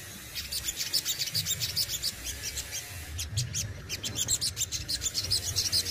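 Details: Captive sogon performing besetan and tembakan song: quick, piercing high chirps in rapid succession, roughly two to three per second, growing louder toward the end against faint low-frequency hum.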